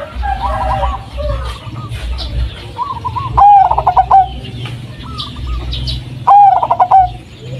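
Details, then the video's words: Blorok Madu zebra dove, a striped local type with a deep, bassy song used to lure other doves; two loud stuttering phrases of rapid notes about three seconds apart, with softer coos between and low background hum. "pancingan suara perkutut BLOROK MADU,.suara pulen lain dari yang lain."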